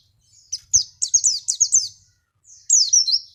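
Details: Javan white-eye song played as a lure to prompt other birds to answer: a quick series of high, sliding chirps, then a short gap and another bright descending phrase.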